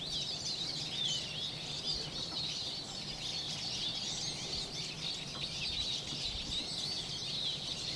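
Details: A wintering flock of Eurasian siskins, descending one after another to bathe, keeps up a steady, overlapping twitter of thin, high wheezy notes and chirps, over a soft low rumble of water.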